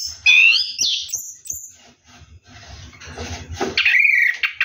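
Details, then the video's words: Orange-headed thrush bathing at night: a bright rising whistle and high thin note, then a stretch of broad noisy rustling before the song returns with a loud swooping whistle. "KICAU ANIS KEMBANG NGEROLL MANDI MALAM"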